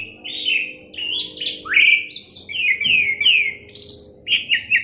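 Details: Asian pied starling, a tame and chatty captive bird used as a lure to get other birds singing, delivers a busy run of clear whistles and slurred notes, many sliding downward, some rising sharply, with a faint low hum behind.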